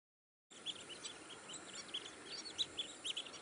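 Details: Long-billed dowitcher: sharp, high chirping notes, short and clipped, repeated several times over about three seconds against a steady background hiss.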